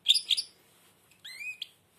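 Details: European goldfinch, blind, singing with its beak almost closed: two sharp, bright chirps, then after a pause a soft, drawn-out rising whistle and a final chirp.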